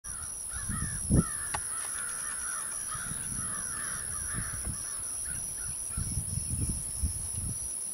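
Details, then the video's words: Wild American crows soaring overhead give a series of hoarse, drawn-out caws, several overlapping in quick succession early on, then fainter caws, over steady wind and low rumbling background noise. "American Crows (Corvus brachyrhynchos) soaring"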